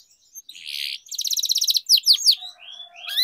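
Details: Canary used in song training, giving short buzzy bursts, a rapid rattling trill, then several quick downward slurs and a faint low whistle beneath.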